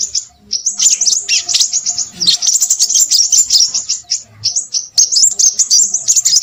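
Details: Noisy Crimson sunbird song: bright, very high, rapid twitters and sharp chips in long runs, separated by a few short pauses, loud and clear.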